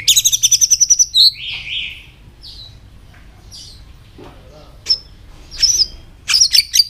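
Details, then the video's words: White-rumped shama training song: a rapid high trill of about ten evenly spaced notes, a few buzzy phrases, then a pause and scattered sharp high chips. "luyện chòe hót nhiều giọng.kích chòe lửa hót nhanh căng"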